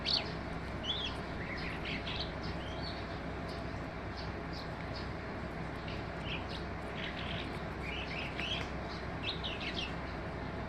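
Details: Singing skylark, a string of brief high twittering and rising chirps spread across the recording, quiet against constant low-pitched ambient noise.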